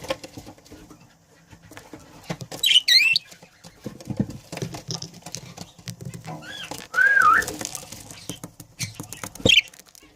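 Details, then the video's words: Breeding pair of budgerigars: three sharp, wavering whistled calls stand out over quiet scratching and soft ticking, spaced a few seconds apart. "Breeding pair budgie"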